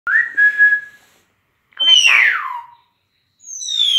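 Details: Pet talking common hill myna outside the house: a flat whistled note, then a loud downward-sliding whistle over a harsh rasping burst, then a high falling double whistle, in three separate phrases.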